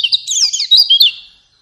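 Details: Short burst of white-eye song used to prompt a pet bird into singing, a quick tangle of high, thin twittering notes fading out after about a second and a half.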